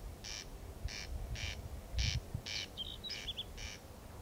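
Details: Corn crake calling at night, 01:35 on 14 June 2021, in Kiili parish, Estonia; harsh, rasping double notes repeated about twice a second, with a brief twittering bird and low background rumble.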